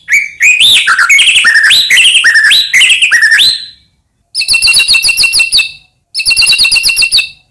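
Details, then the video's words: White-rumped shama from Medan singing to provoke other shamas: a fast run of rising whistled notes, then two bursts of rapid buzzy rattling trills. "murai batu gacor AMPUH buat PANCINGAN murai batu agar bunyi"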